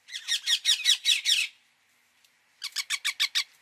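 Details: Ringneck parakeet squawking: a rapid string of about eight loud, harsh, shrill screeches, a pause, then a quicker series of six sharper, clipped squawks.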